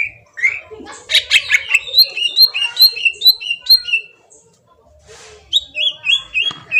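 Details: Lure song of a green leafbird meant to trigger a response: a harsh scratchy opening, then a rapid string of bright whistled notes alternating high and low, a brief gap, and another quick whistled series.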